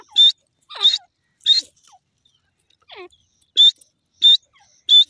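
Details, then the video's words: Francolin, local teetar: sharp, bright whistled notes with short downward-sliding tails, given in quick bursts about every half second to second, with two quieter falling notes in the middle. "dasi Teetar bird sound,irani teetar ki awaaz"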